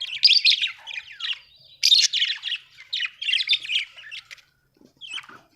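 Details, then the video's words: Budgerigar chirping happily, a continuous run of scratchy warbled and squawked syllables lasting over four seconds, then a brief quiet gap and one short final chirp. "happy budgie chirping sound"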